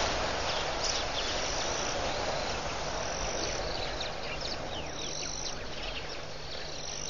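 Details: Hundreds, if not thousands, of red-billed queleas swarming above the water at Pete's Pond, Mashatu Game Reserve, Botswana, on 31 October 2015, making a dense, continuous hiss of countless overlapping high chirps over a low rumble.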